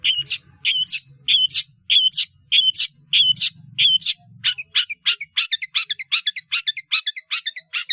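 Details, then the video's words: Caged long-tailed shrike in energetic song full of fill phrases, for training caged birds. A repeated two-part chirp about every half second speeds into a rapid run of short, sharp notes; a faint low hum underneath. "CENDET GACOR ISIAN BANYAK"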